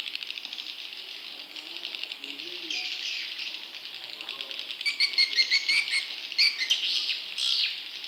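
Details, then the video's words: Swiftlet chicks calling, played to lure wild swiftlets: a dense, continuous high chirping chatter with rapid clicking pulses, brighter sharp twitters joining after the fifth second. "Suara Walet Anakan Super"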